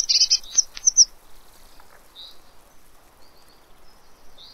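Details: Eurasian blue tit at a fat ball, Pellerey, France, 3 March 2017: a quick burst of thin, high chips and twitters in the first second, then softer, fainter high notes amid quiet background.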